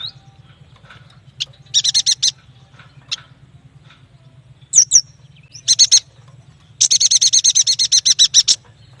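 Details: Yuhina song with varied elements: brief groups of rapid harsh notes, a pair of high sliding whistles, then a long, steady chattering series of about fifteen repeated notes, with a low hum throughout.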